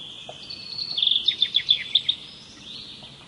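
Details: Bird singing a fast, high-pitched trill of sharp repeated notes for about a second, with a soft thin whistled note after it and light ambient hiss.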